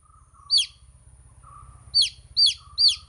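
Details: Baby chicks chirp with a single high, falling peep, a gap of over a second, then three quick peeps, over a soft low hum and faint mid-pitched murmuring.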